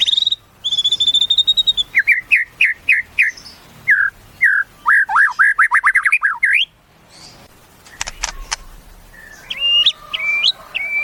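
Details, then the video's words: Caged white-rumped shama pouring out a fast song of repeated chips and looping whistled notes, then a pause and some lower wavering whistles. "Suara Murai 1 Juta Ini Ngalahin Murai 10 Juta"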